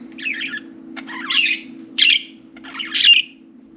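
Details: Four pet budgerigars playing and talking in and on their cage; four loud, scratchy, buzzy chirps spaced about a second apart, rising toward the end, over a constant low electrical hum.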